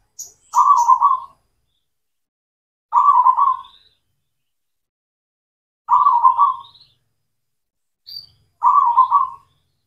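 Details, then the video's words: Local zebra dove, including a cemani type, singing as a lure to bring silent or reluctant doves back into song: four short burbling, stuttered cooing phrases, each under a second, repeated roughly every three seconds, with faint high chirps between. "PANCINGAN PERKUTUT LOKAL, PERKUTUT CEMANI GACOR, AMPUH UNTUK MASTERAN PERKUTUT BISU"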